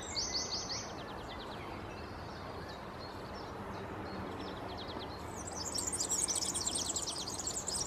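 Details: European serin (Serinus serinus): a short high jingling burst at the start, a quiet stretch, then a longer fast, buzzy, very high twittering phrase near the end over steady background hiss.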